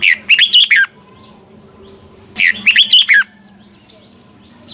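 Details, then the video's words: Morning training song from a caged red-whiskered bulbul in mature double-note style; two rapid warbling phrases of clear whistled notes, each about a second long, separated by a brief pause and faint chirping. "luyện giọng cho chào mào sáng, Hót hay nhanh căng. chào mào hót âm kép già rừng hay tuyệt!"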